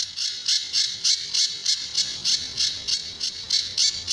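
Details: Master recording of a Sunda bush warbler for training other birds, tembakan and besetan styles: regularly spaced rasping high-pitched buzzes, around fourteen in four seconds.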